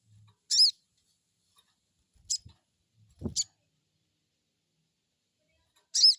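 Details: Crested jay giving the crecet call, used as a lure to make a newly kept bird answer: short, very high, squeaky chirps spaced a second or more apart, with a few soft low thumps between them.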